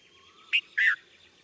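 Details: Red-vented bulbul giving two short call notes, a brief bright note followed by a fuller, slightly longer slurred note, over a faint steady background hum.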